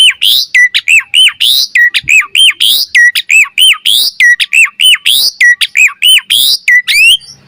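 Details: Training master song of an Asian pied starling, meant to spur birds into lively varied singing: a fast, steady string of loud down-slurred whistled notes, about one per second, each followed by a sharp high burst.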